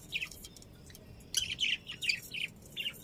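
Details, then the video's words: Budgerigars chirping: short bright chirps come in scattered clusters, some quick and overlapping, with quiet gaps between them over a faint low hum. "Cute Budgies Chirping Sounds"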